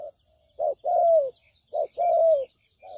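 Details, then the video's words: Spotted dove coos played to lure doves into traps: a brief low note followed by a long hoarse descending coo, twice, with faint high twitters of small birds behind. "Suara Pikat Burung Tekukur Paling JITU"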